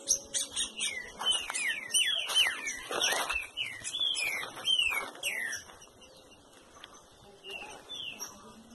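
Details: A captive Green-winged saltator at a breeding facility sings a quick run of rich, slurred whistles, rising and falling in close succession, with some faint voices in the background.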